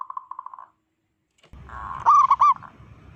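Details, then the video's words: Local zebra dove with a loud voice, calling to provoke other zebra doves: a quick run of soft pulsed coos, a pause, then louder bubbling notes over a low rumble. "Panggilan perkutut Ampuh BIKIN PANIK perkutut lain"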